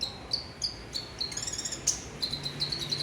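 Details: Olive-backed sunbird, kept caged, repeating short high whistled notes on a steady pitch, with a quick trilled flourish in the middle.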